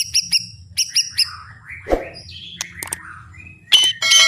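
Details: White-rumped shama singing with fighting spirit at full volume: paired sharp high notes, then slurred descending whistles and a thin rising whistle, ending in loud harsh high notes.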